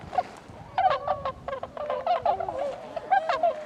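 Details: Several tundra swans, recorded 26 February 2012, trading short nasal honks and a few longer level notes, spaced by brief pauses, against a quiet background.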